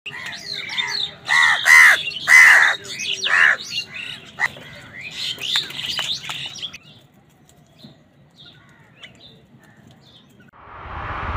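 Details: Crows squabbling with other wild birds over food: a run of loud, harsh, raspy calls in quick bursts over the first few seconds, mixed with higher chirps, then fading to near quiet with faint twitters.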